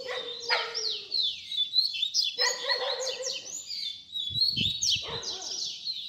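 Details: Baderna song of a double-collared seedeater with fibra character, intended for young birds to learn; repeated phrases of steep falling high whistles over buzzy rattles, with a faint low thump near the end.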